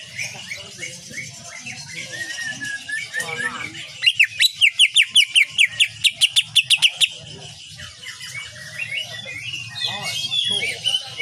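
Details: Greater green leafbird singing vigorously, in a training recording for cage birds featuring the 'tembakan' shooting style. Varied high warbling and chattering, then a burst of about fifteen sharp, evenly spaced ringing notes, before further warbling; steady low hum underneath.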